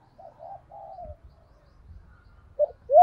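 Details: Spotted dove cooing to lure wild doves: soft, low cooing notes early, then two louder, clearer coos near the end.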